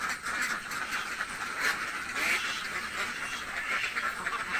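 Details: A hungry village flock of ducks produces harsh, buzzy quacks in quick clusters, louder calls standing out around the middle over continuous background quacking.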